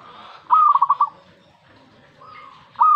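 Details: Responding to a master recording, a zebra dove gives one full rippling coo phrase with a sustained ending, then starts another near the close; a soft even tone sounds between them.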